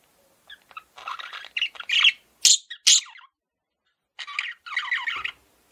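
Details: Male budgerigar kept as a pet, uttering a few scratchy warbles, then two loud sharp squeaks, a pause, and a final burst of buzzy chatter.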